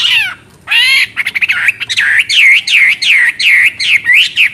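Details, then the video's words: A Chinese hwamei sings loudly and chattily: a few sweeping slurred notes, then a quick run of clear, bouncy whistled notes repeated several times a second. "Burung Hwamei Wambi NGOCEH Istimewa Gacor Suara Cristal"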